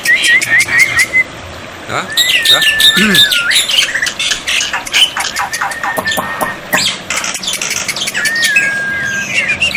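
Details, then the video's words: Black-winged myna song used as a tutor with water therapy to get silent birds to reply. Whistled notes alternate with harsh squawks and dense clicking bursts. Steady level whistles recur near the end. "masteran burung jalak putih, jalak putih macet pasti nyaut"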